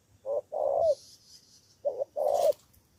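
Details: Two crisp phrases from a decoy spotted dove in Cà Mau, Vietnam, answering rivals: a brief soft note then a longer rolling coo ending in a downward slur, with a short rustle or hiss burst between them.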